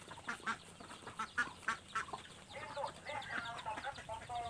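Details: Ducks competing for food they have been given, sounding out spaced harsh quacks early on, then a busier stretch of softer, overlapping nasal calls.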